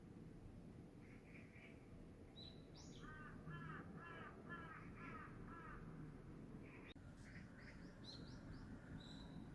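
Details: Crow calling around 5:10 p.m. on 18 August 2022: a steady run of about six hoarse, repeated caws, evenly spaced, with chirps from an unidentified small bird before and after.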